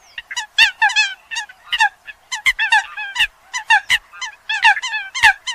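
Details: Eurasian coots calling on a hunting-lure track for the 2020-2021 season: loud, harmonic, nasal honks from several birds, given in quick bursts roughly every half second with brief gaps between them.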